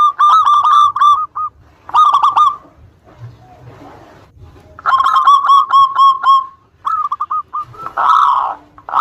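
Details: Local zebra dove in full, vigorous voice, used as a lure to provoke rival birds into answering: four bursts of rapid, bouncy, mellow cooing notes strung into quick rolling phrases with short pauses between, over faint low background rumble.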